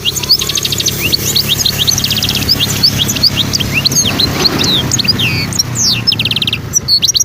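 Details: Wild goldfinch from Skikda, Algeria, 2022, twittering over steady background music. High, quick chirps and slurred notes come in irregular bursts, with a couple of short rattling trills, fairly continuous throughout.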